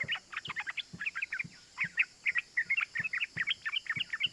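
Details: Lure recording of a yellow-vented bulbul calling in fast 'ropel' style to provoke other bulbuls into singing: dense, bright, chirpy 'cuk cuk' notes tumble in rapid clusters, with faint low ticks and a constant high background hiss.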